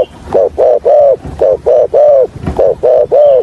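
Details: Spotted dove decoy of the Hạp bổi voice style, used for trapping, giving a stuttering coo. Rapid groups of short low notes, each group ending in a longer note, run quickly one after another with little pause.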